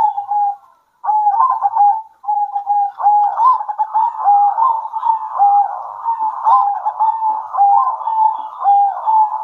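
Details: Several local zebra doves at midday answer one another in a near-continuous stream of soft cooing, repeated slurred upward coos over a bed of rapid trilling notes, with only short gaps early on.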